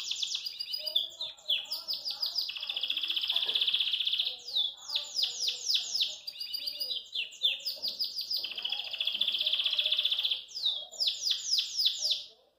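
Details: Caged Belgian canary singing cheerfully and hopping about, a continuous high warbling song of rapid trills, long sustained buzzy rolls and quick rising-falling note series, with faint low murmurs of voices underneath.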